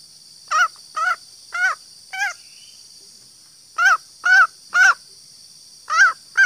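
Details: Female green junglefowl call used to lure males: short rasping notes in loose groups of two to four, separated by a brief pause, with a steady high hiss behind.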